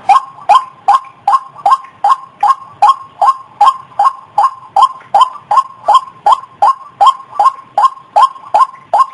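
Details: Loud, regular series from a white-breasted waterhen, played as a lure: clipped, croaking notes repeated about two and a half times each second, very even and clean.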